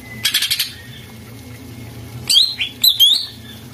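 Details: Caged greater green leafbird master song used to prompt a bird that has stopped singing: a fast burst of high, dense chirps, then a pause, then bright, sliding whistled notes, with a faint steady low hum beneath.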